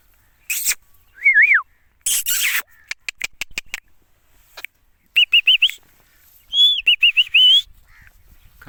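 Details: Indian ringneck parakeet, a pet parrot: sharp clicks and harsh bursts mixed with clear wavering whistles that rise and fall, plus a run of quick repeated whistled notes near the end.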